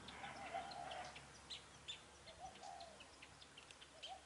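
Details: Spotted dove at a trapping site in Vietnam, recorded 10 December 2020, with a decoy bird used for trapping: low mellow cooing phrases, a longer series at the start and then short coos, with high chirps of other birds throughout.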